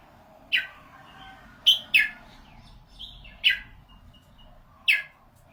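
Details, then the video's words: Red-whiskered bulbul, noted for its golden voice, giving single sharp descending whistled notes spaced about a second apart over a low murmur of background noise and faint distant chirps. "นกกรงหัวจุก เสียงทอง"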